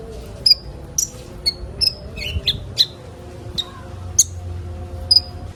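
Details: Sunbird used to get young birds singing: scattered thin, high tsip notes and brief slurred chirps, unevenly spaced over several seconds, with a soft low rumble underneath.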